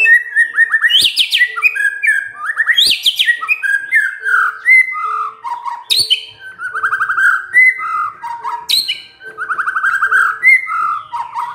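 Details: White-rumped shama song used to make other birds answer: sustained stream of loud varied whistles, rolling trills and high sharp notes, motifs repeated, with a faint low steady tone behind.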